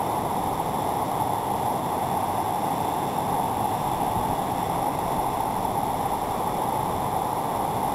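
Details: Steady rushing and gurgling of a stream, with no animal sounds.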